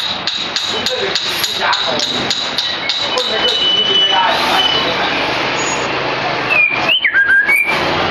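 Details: White-feathered shama singing: a fast run of sharp repeated ticking notes, then a few clear whistled slurs rising and falling near the end, over steady broadband background noise.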